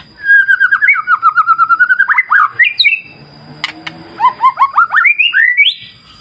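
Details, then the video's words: White-rumped shama in full song beside a clear wild river: a long rapid string of bubbly repeated notes climbing in pitch, a short break with clicks, then another accelerating run of rising chirps. "Terapi Murai Batu Ala Alam Liar Sungai Jernih"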